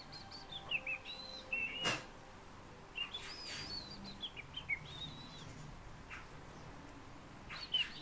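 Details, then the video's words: Fieldfare song of thin, high whistles and wavering squeaky phrases, given in separate bursts with short pauses and a sharp click partway through. "Turdus pilaris рябинник"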